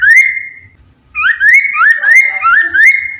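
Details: Poksay Mandarin laughingthrush song used to prompt other birds to sing: one long rising whistle, a brief pause, then a fast series of upslurred whistled notes, some slightly rougher, in close sequence.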